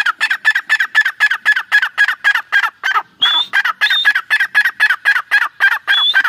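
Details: Francolin, an Irani teetar pair, producing a dense, rapid train of raspy mid-pitched notes, about four per second, with occasional high whistled slurs laid over them.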